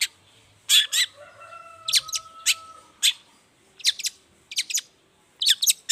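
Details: In morning song a long-tailed shrike lures other shrikes to answer. Spaced, harsh clipped notes come singly and in pairs, with long thin steady whistles sounding faintly behind them.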